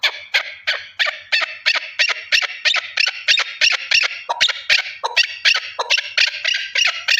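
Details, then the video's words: Shrill, scratchy chucking from a single male partridge, repeated about three times per second in a long, steady run. "Овози кабки нар Голос Куропатка صوت الحجل Partridge's voice صدای کبک"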